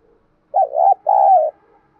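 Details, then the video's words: Spotted dove used as a decoy bird to make wild birds coo, giving a single mellow coo phrase of two hollow notes, the second longer and level, in a quiet setting. "tiếng cu mồi thúc bổi"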